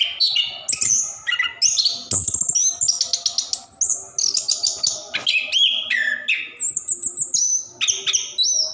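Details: Orange-headed thrush in long rolling song, a prompt for caged birds that sing little; sharp high whistles, sliding slurs and rapid stuttering note bursts, each phrase quickly replaced by another.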